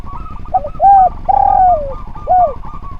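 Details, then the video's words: Spotted dove singing energetically, recorded as training material for other doves. One phrase: a short double note, two mellow arched coos, the second long and trailing downward, then a final rounded coo. Faint buzzy trills sound behind. "Derkuku Gacor Suara Nglaras, Masteran Derkuku Paling Top Cer"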